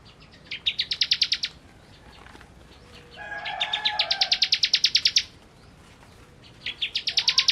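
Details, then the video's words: Bar-winged prinia (ciblek) singing in the kristal style: bursts of rapid, high, evenly repeated metallic notes about one and a half seconds long, with a quieter, lower whistled warble between bursts. "Ciblek Kristal Gacor"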